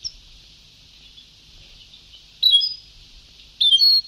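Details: Old tape of Sebtaoui-style European goldfinch song: two sharp, high twittering bursts about a second apart, following a stretch of quiet hiss.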